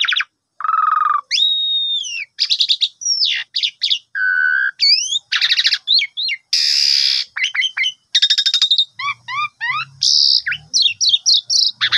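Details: ['Varied song of an Asian pied starling, played mornings to coax a sulking bird into song: loud fluty whistles, upslurred notes, nasal low bars, a harsh broad screech and runs of repeated chirps.']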